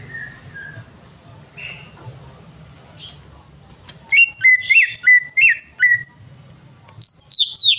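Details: Greater green leafbird song played to coax a bird that won't sing: quiet scattered whistles at first, then a loud series of six clear slurred notes, one after another, and a closing burst of high chips. Faint background hum.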